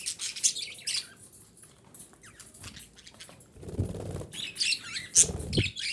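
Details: Female budgerigar calling to stimulate breeding: sharp, high chirps and warbling squeaks in irregular bursts, with a soft rustle like wing movement partway through.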